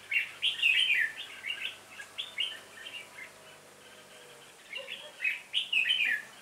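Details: Trapping session with a red-whiskered bulbul decoy calling the flock, 26 November 2017; rapid clusters of sharp, warbled chirps, a quieter stretch in the middle, then renewed excited bursts near the end.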